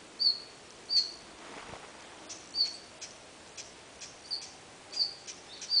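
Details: Red-flanked bluetail giving thin, high, short call notes, about eight in six seconds at an uneven pace, with a few soft dry ticks between them; recorded at Munakata, Japan, November 2010.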